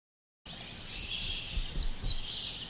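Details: Golden-crowned warbler (Basileuterus culicivorus) in Costa Rica: a quick series of thin, high whistled notes, the last few slurring sharply downward, with faint background hiss.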